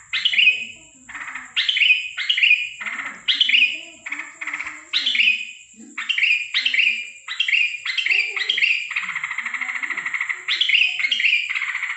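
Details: Sooty-headed bulbul at night, 13 December 2023, giving an odd call: harsh, buzzy descending bursts repeated roughly every second, with faint low murmurs and a constant high-pitched hum behind.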